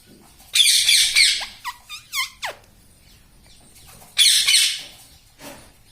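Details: Pet parrot indoors that says "mummy" and "papa": a harsh, noisy screech, then three or four short falling whistled notes, quiet, and another broad raspy screech.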